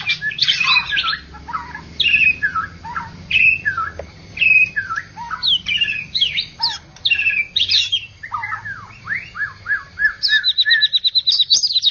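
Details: White-rumped shama (murai batu) from Medan and Java, first-place contest winner: varied whistled phrases and chattering trills in short bursts with brief pauses, ending in a fast buzzy rattle; faint low hum beneath.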